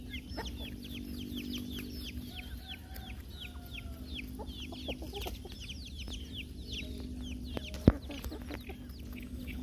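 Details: Flock of chickens during feeding, with a steady chorus of high, downward-sliding peeps repeated many times a second, one sharp knock, and a low continuous hum and faint distant music.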